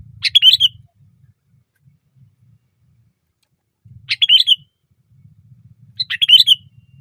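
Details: Sooty-headed bulbul singing loudly on a branch: three short phrases of slurred, bubbly chirps spaced a few seconds apart, with soft low hum between.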